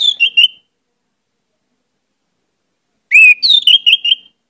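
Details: Orange-headed thrush sings a lively lure song full of varied phrases: a short descending whistled phrase, nearly three seconds of silence, then a loud rising whistle running into a string of rapid, wavering whistled notes.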